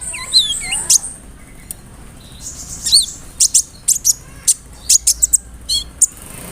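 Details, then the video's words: Kolibri ninja (konin) sunbird song, a rolling song carrying fill-ins of cricket, cililin, sparrow and cerr sounds, used to provoke a bird to sing: scattered high thin chirps, then a burst of sharp ticking notes and a quick rising-falling trill. "PANCINGAN SUARA BURUNG KOLIBRI NINJA (KONIN) ROLL NEMBAK, ISIAN JANGKRIK, CILILIN, GEREJA, CERR"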